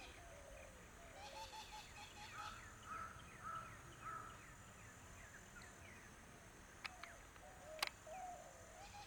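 A coot gives a run of short, clipped, mid-pitched notes about twice a second, then falls quiet; two sharp clicks follow over steady background hiss.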